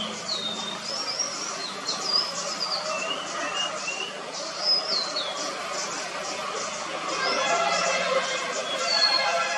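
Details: White-bellied blue robin, or white-bellied sholakili, at Munnar, Kerala, India, in February 2023: thin, high whistled notes sliding up and down, scattered through the clip over a loud, steady broadband hiss.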